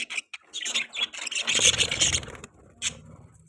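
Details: Budgerigar chirping: a busy chatter of high, scratchy chirps and warbles, with a low rustling or scraping noise in the middle and a final short chirp after a pause.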